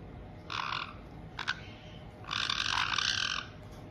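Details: White-bellied caiques, a resident adult pair in a multi-bird home in Tokachi, Hokkaido, welcoming a newly arrived young bird just over two months old, 18 June 2023: two harsh, buzzy, nasal bursts, the second longer, with a sharp click between.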